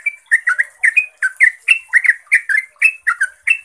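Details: Trucuk or yellow-vented bulbul in lively 'ropel' song used to draw replies from other bulbuls: dense, bubbly phrases of short rising and falling warbled notes, about four per second, with a constant high hiss.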